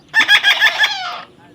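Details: Talking parrot's raspy phrase of about five rapid syllables that trails into a fading, falling harmonic tail after a person exclaims.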